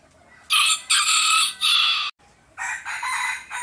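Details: Chickens calling back and forth to each other, three loud raspy squawks in a row, a brief silence, then two more harsh, slightly broken squawks.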